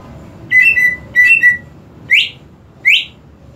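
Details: Greater green leafbird, a cage bird, giving two paired flat whistled phrases followed by two sharp rising whistles, over low background hum.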